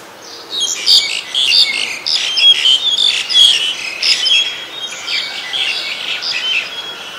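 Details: White-vented myna at Ubon Ratchathani, Thailand, recorded 29 December 2019, pouring out a loud, busy jumble of harsh squeaks, whistles and chirps for about seven seconds with brief breaks between bursts.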